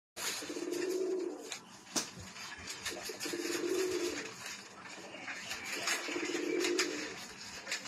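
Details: Pair of Pakistani Sialkoti pigeons, domestic breed, indoors: three low, even cooing bursts of about a second each, spaced roughly every two and a half seconds, with faint rustling and clicks between.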